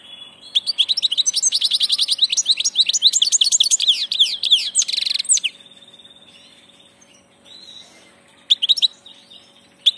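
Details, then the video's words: European goldfinch of the passage, singing a fast, rolling run of liquid, high twittering notes for about five seconds, then a buzzy trill and a few sparse chirps. "Jilguero del paso"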